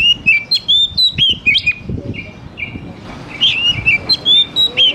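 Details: Oriental magpie-robin from the forest, basic lure to make young birds sing quickly: quick chains of whistled, slurred notes, short flat repeated notes in the middle, then another fast whistled series, with faint thumps below.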